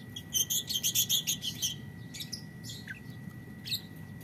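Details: Morning calls of a green violet lovebird (lovebird biola green): a burst of about a dozen sharp, high chirps repeated rapidly over under two seconds, then scattered fainter twitters against a steady low hum.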